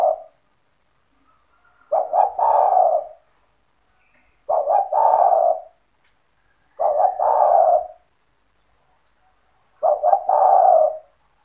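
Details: Kept spotted dove (tekukur) in full, active voice, its call played to lure other spotted doves into calling: five low, mellow coo phrases about every 2.5 seconds, each two short clipped notes running into a longer, slightly falling coo.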